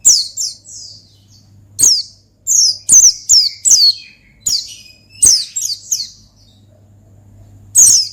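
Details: Oriental white-eye singing to provoke a rival: lively, fast series of high, sweeping twitters and chirps, some in quick clusters, with a soft constant hum behind.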